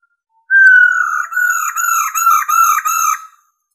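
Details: Female laughingthrush ro call for stimulating male birds: a loud whistle starting slightly high, sliding level, then a string of six or so quick bouncing whistled pulses.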